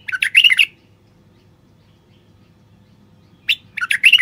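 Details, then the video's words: Male common bulbul song for stimulating silent wild bulbuls to sing and mate: a lively phrase of rapid warbled, slurred notes, a pause of nearly three seconds, then a sharp note and another bubbling phrase. "تغريد خاص لتحفيز البلابل الوحشية القافلة"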